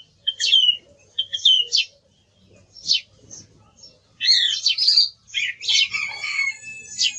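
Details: Singing song thrush: scattered high whistles and chips with pauses, building into a loud, complex burst of rich, tumbling whistled phrases in the last few seconds.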